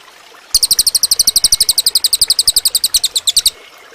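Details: Cililin singing for use in training other birds, a three-second volley of rapid, high, ringing chips at about eight per second, starting and stopping sharply.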